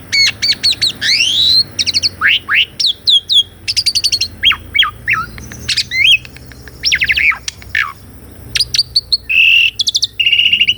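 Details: Asian pied starling in full varied song, recorded in real life on a Sony A6400 for training a caged starling that has stopped singing: rapid sequences of rising and falling whistles, buzzy trills and sharp chips, with short rolling bursts.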